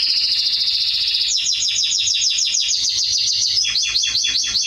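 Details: Singing Atlantic canary, recorded for training young birds: a rolling high trill giving way to fast, evenly repeated downward-sweeping notes in a long rattling series, ending in a quicker burst of sweeps.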